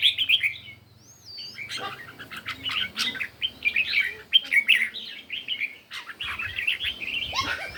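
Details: Morning competition singing by red-whiskered bulbul: cheerful warbled phrases and chirps tumbling over one another, a brief pause early, then dense, lively song with clicks and a low rumble.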